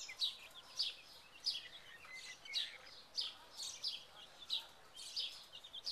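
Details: Second-generation Buff Orpington chicks wandering in a big cage, recorded May 2011. Thin, high peeps come roughly every half second over a steady background hiss.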